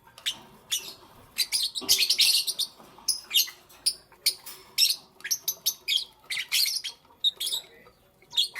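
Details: Lovebirds in the morning give a steady stream of shrill, scratchy chirps, several per second, with brief louder buzzy bursts and a quiet background.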